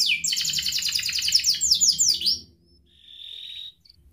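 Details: Canary song meant to provoke young and lazy canaries into singing, ngerek style: a loud rapid trill of falling notes for over two seconds, a pause, then a softer steady buzzy note.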